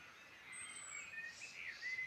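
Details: Brief moment of birdsong in Ireland's Midlands: a long thin high whistle, then a warbled phrase ending in a clear upward-sliding whistle.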